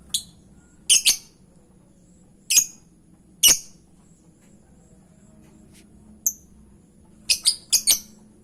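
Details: Piercing lovebird chirps meant to coax a reply, short squawks singly and in pairs at uneven intervals, ending in a quick cluster of three, over a quiet steady hum.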